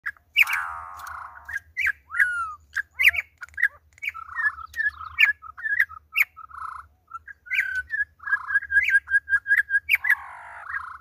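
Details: Campo troupial on its second day, singing a rich run of loud whistled notes that rise and fall between mid and high pitch. Buzzy, rattled notes are mixed in, and the phrases come in quick succession over a faint low hum.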